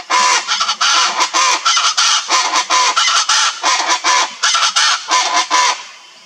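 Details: Chaco chachalaca, a wild free bird of the Pantanal, singing: a continuous loud, grating chorus of harsh rhythmic notes in quick, pulsing bursts for about six seconds, then fading out.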